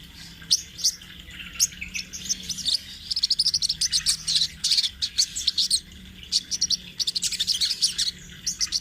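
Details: Sunbird, a lively bird in full rolling song used as a training master: dense bursts of high, sharp twittering notes run together in quick trills, with brief pauses between rolls.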